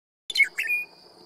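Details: Western Meadowlark singing along Willms Road at Knights Ferry in California's Sierra Nevada: a brief burst of flutey, gurgling notes that drop in pitch, with a thin, steady high tone lingering after the phrase.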